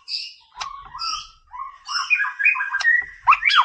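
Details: White-rumped shama in full, lively song, used to provoke a rival: varied whistled phrases, high sweet notes alternating with lower warbles and sharp clicks, quick rising and falling slurs, brief pauses between bursts.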